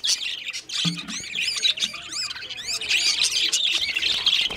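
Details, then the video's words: Parakeets fighting over a nest, squabbling with harsh, scratchy squawks and rapid chattering notes, several birds calling over one another in a dense, continuous racket. "parakeet fight battle for nest"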